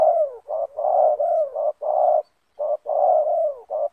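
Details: Loud banggo-style spotted dove cooing close up during a decoy encounter with a wild bird in a yard: dense, husky, descending coo notes run together in quick phrases, one brief pause midway.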